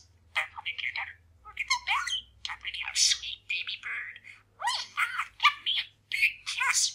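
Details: Indoor male parakeet mumbling and practising new sayings, busy chatter of short gravelly speech-like syllables, some sliding upward, in close-set bursts with small pauses, over a faint low hum.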